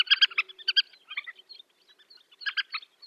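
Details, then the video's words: Black-winged pratincole calling in flight over the Astrakhan steppe, Russia, in April 2017: sharp, chattering clusters of harsh notes in quick bursts, with a pause before a final burst. "Степная тиркушка Glareola nordmanni / Black-winged pratincole calls"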